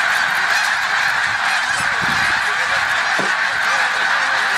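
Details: Snow geese gathered during migration at Middle Creek, Pennsylvania, produce a distant, even roar of countless blended honks, individual calls hard to pick out.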